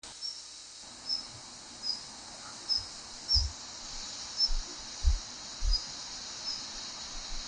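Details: Female Daurian redstart giving her commonly heard call: thin, high, short whistled notes repeated roughly every 0.7 seconds over a steady hissing background noise, with a few low thumps.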